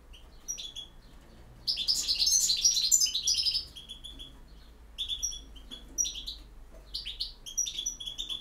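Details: European goldfinch with campero song: a dense, tumbling twitter of high notes lasting nearly two seconds, then shorter ringing phrases and single sharp chips.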